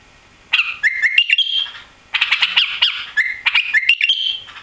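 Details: Newly arrived White-eared bulbul, tailless from its trip to Europe, sings two bright phrases of clicks leading into stepped rising whistles, one after a quiet start and another near two seconds.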